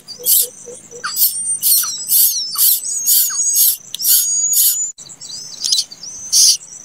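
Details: A plaintive cuckoo nestling that hatched late gives four soft low peeps, then a fast series of loud, scratchy hissing bursts under a sustained high whistle, a brief pause, then more rasps.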